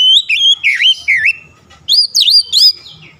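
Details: Oriental magpie-robin (kacer) singing sharp, clear phrases intended to make idle birds sing: loud slurred whistles dipping and rising, a cluster of notes, a brief pause, then another rapid cluster of swooping whistles.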